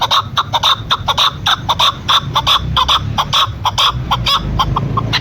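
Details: A female chukar partridge gives rapid, harsh chuk notes in uneven bursts, packed closely together over a low murmuring background, in a hunting context.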